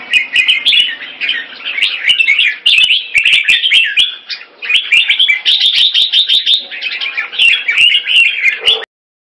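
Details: Singapore pet Red-whiskered bulbul giving keke on command: an almost unbroken, lively stream of fast squeaky chatter lasting about nine seconds, dotted with sharp clicks, stopping abruptly.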